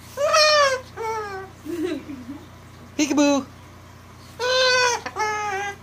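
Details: Pet cockatoo being vocal and playful: a string of hoarse, harmonic, speech-like calls and babbling, some falling in pitch, in short bursts with brief pauses, heard indoors.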